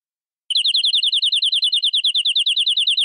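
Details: Local canary from the forest, singing a long, ornate full song. A slightly slower trill of sharp, high repeated notes sounds about six per second, each paired with a faint thin overtone-like note. The background is clean.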